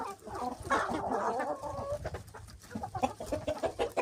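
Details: Hens and roosters pecking: a drawn-out, harmonic clucking call early on, then rapid soft clucks mixed with light pecking taps.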